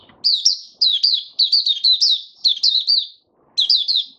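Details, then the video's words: Caged white-eye song: bursts of fast, high, slurred tweets in rapid strings, broken by short pauses, one gap near the end before a final burst. "Mata Puteh Raja Stablizing his form buka sing"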